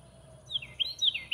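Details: A house wren sings in a backyard: a brief burst of bubbly, high slurred notes, rising and falling quickly in a rapid jumble, over faint background hum.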